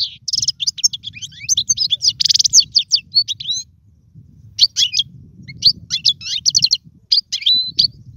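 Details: Caged European goldfinch whose song serves to train young birds: dense twittering with a harsh buzzy trill early on, then after a pause more rapid chirp series and slurred notes.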